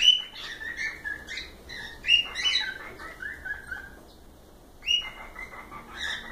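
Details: Cockatiels (calopsitas) heard in a live stream: a run of short whistled chirps and trills with bright overtones, some slurred downward, in loose bursts with brief pauses between them.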